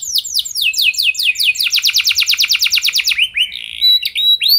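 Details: Canary singing energetically, a luxurious song meant to make other canaries sing long: sweeping downward whistles, then a rapid even trill, followed by scattered rising and falling whistled notes.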